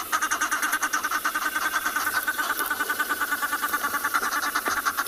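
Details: Egyptian geese, said to be mostly females, give ordinary contact calls rather than alarm calls on a winter morning (23 June) safari in South Africa: harsh, rapid cackling, about three pulses a second, steady and continuous.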